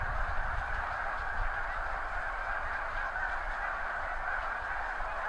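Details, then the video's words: Thousands of wild snow geese taking off together from crops near the seaway at high tide, in spring, mid-April to mid-May, recorded from a backyard with a Nikon D7000 and Azden SMX-10 microphone. A dense, unbroken chorus of high honking fills the clip, over a low rumble. "Snow geese take-off"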